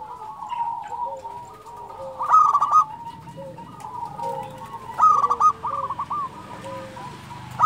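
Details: Local zebra doves in lively song: soft, overlapping coo trills broken by two loud, stuttering bursts about three seconds apart.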